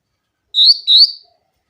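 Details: Grey-cheeked bulbul, sung clearly as a lure for birds that rarely sing: two smooth, slightly rising whistles in quick succession, fading quickly into silence.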